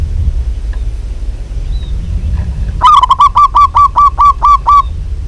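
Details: A vigorously calling local zebra dove gives a long rhythmic series of about ten mellow, slightly downward-curving cooing notes, delivered quickly and evenly. Soft low background noise and a few faint distant chirps are also audible.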